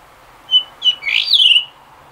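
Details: Blue rock thrush singing late in the afternoon, two short whistles followed by a bright rising warbled phrase ending in a quick trill.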